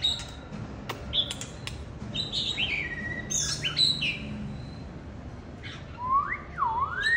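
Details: Singing, displaying male oriental magpie-robin at a home, giving varied whistled phrases with downward slurs, then lower, looping swooping notes near the end, against constant low rumble.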